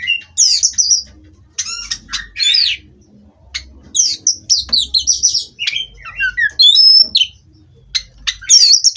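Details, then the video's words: Kacer, the Oriental magpie-robin, kept in a cage, singing bright whistled phrases interleaved with clicks, buzzy notes and quick falling slurs in irregular bursts, with a faint low background rumble. "Terapi Burung Kacer Agar Stabil di Pedok"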